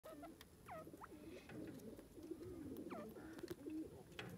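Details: Grey francolin, known locally as gadra teetar, calling in a forest: sharp notes that slide steeply downward, given in pairs and repeated at intervals, over soft low cooing of doves and light background noise.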